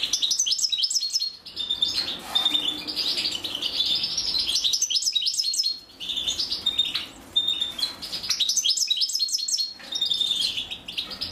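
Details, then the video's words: Female European goldfinch feeding her chicks; long stretches of shrill, rapid, buzzy begging twitters with short pauses, and hissy rustling in between. "أنثى الحسون وهي تطعم فراخها"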